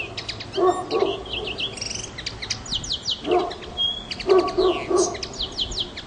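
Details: A common linnet on Pantelleria island, 9 January 2011, sings a fast, twittering run of short, bright notes with quick buzzy trills, while low, harsh bursts sound underneath a few times.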